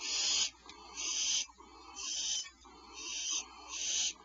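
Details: Before dawn, 0447 hr PST, an owl mother delivers medium prey to owlets in a cavity: a series of rasping, hissy screeches about half a second long, coming at roughly one-second intervals over faint background hum.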